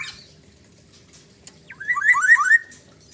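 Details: Black-naped oriole, song with siren-like inserts: after a near-silent pause and a sharp click, a short burst of three or four fluting whistled phrases slurring upward, over a faint steady hum.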